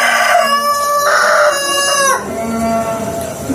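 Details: A rooster recorded in the Jabodetabek area, Indonesia, crows loudly, a harsh, harmonic-rich call rising then falling in pitch.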